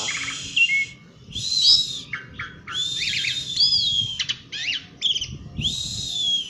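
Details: Asian pied starling singing outdoors, a dense medley of harsh screechy notes, rising and falling whistles and quick squeaks, delivered almost without pause.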